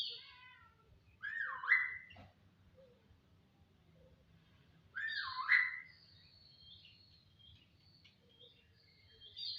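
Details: Jalak (starling) song with two loud swooping whistled phrases about four seconds apart, each dipping then rising, mixed with softer higher chattering notes and faint background hum.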